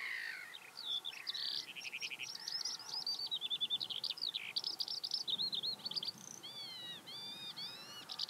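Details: A Eurasian skylark near Hundred End, Lancashire, on 12 May 2017 pours out a fast, unbroken stream of chirps, trills and rolling whistles, ending in repeated slurred, rising notes; faint wind murmurs beneath.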